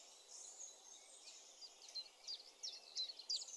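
A common chiffchaff sings high, thin chipping notes, about three a second, over a steady hiss of background noise.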